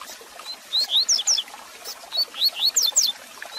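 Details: A Double-collared seedeater warming-up and teaching song for a kept bird: two lively phrases of sharp, upslurred and downslurred high whistles in rapid succession, against faint crackly hiss.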